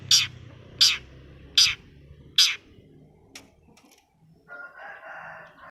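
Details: Four harsh, rasping broadband notes about 0.8 seconds apart, then a softer lower buzzy phrase, from a long-tailed shrike used as a lure for a reluctant or stressed bird.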